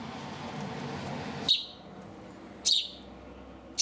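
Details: Three loud, sharp chirps from a hand-reared house sparrow, spaced roughly a second apart, each a brief high burst with quiet hum between them; the bird was rescued from a street at two to three days old.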